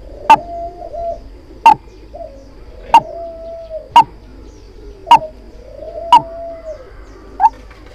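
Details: White-breasted waterhen lure call used for trapping: sharp, clipped notes repeated roughly every second, with softer drawn-out tones between them and a low hum underneath.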